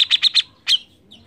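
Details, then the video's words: A grey-cheeked bulbul, used as a lure call, gives four quick, bright chirps, then a louder slurred note falling in pitch, with one faint note after a short pause. "CUCAK JENGGOT GACOR Untuk Pancingan bunyi"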